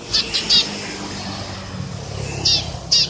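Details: Eurasian tree sparrow giving sharp, scratchy chirps, a quick pair at the start, then a pause before two more single chirps near the end, over a quiet hissing background.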